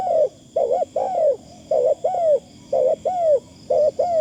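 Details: Spotted dove decoy with a light, fine calling style. Doubled arched coos follow closely, roughly one group per second, against a faint continuous high tone.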